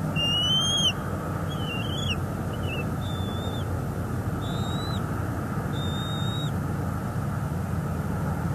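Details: Bald eagle nest in northeast Florida, 12 February 2022, adult feeding two eaglets. One loud shrill whistled note, then several softer, shorter whistles trailing off in quick succession, with a constant low hum beneath.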